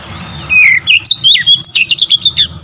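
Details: Loud, continuous Oriental magpie-robin song used to rouse rival birds; a dozen rapid whistled and chirped notes, slurring down then up, packed into about two seconds over a soft background rumble.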